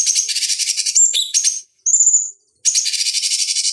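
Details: Lure song of the cucak cungkok, a bulbul, for conditioning fighting birds: dense, high, buzzy pulsed trill, a brief sharp whistled flourish, a steady thin high whistle, then the rattling trill again.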